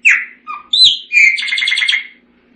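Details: Short Chopi blackbird phrase: a few loud slurred whistles followed by a dense buzzy trill lasting about a second.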